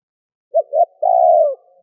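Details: Spotted dove, calling to provoke a decoy dove into song, gives one three-part coo: two brief mellow notes and a drawn-out buzzy coo that sags at the end. Quiet surroundings.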